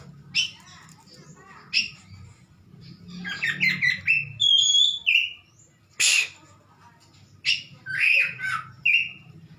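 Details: Home-kept oriental magpie-robin (kacer) in full song: scattered sharp chips, a rapid run of stepped notes, a high clean whistle, then rich slurred phrases, with a low background hum throughout.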